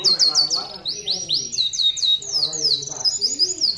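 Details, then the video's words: Vigorous canary song for training other canaries: bright, very high chips and rising sweeps repeated in fast rolling phrases, steady and loud throughout. "Kenari gacor untuk masteran"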